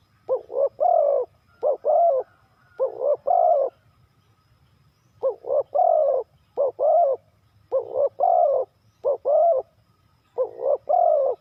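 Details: Long run of spotted dove coos in the three-kuk hanging style. Quick doubled notes lead into fuller drawn coos, grouped in bursts with one pause of about a second and a half.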